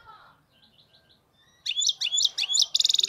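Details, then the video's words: Wild-caught European goldfinch with error-free song: faint soft notes first, then loud high liquid twitters climbing in pitch, ending in a rapid, evenly spaced metallic trill. "حسون خلوي خالي من الأخطاء"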